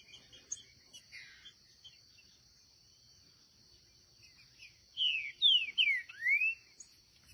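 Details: Green-winged saltator, one of a wild pair, sings a phrase of four loud whistled notes: three quick down-slurred whistles, then a final rising-and-falling arc. Faint chirps come before it, over a steady high insect hum.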